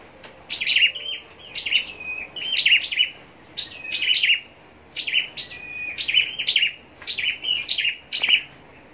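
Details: Caged scarlet-backed flowerpecker bred for song contests, pouring out a steady series of high, crisp twittering phrases, roughly one burst every second, each of clipped chips and a short whistle.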